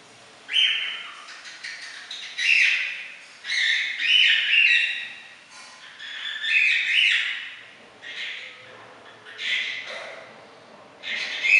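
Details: Pet female cockatiel gives loud, shrill whistled squawks in bursts roughly every two seconds, trying to draw attention to herself while her owners deliberately ignore her.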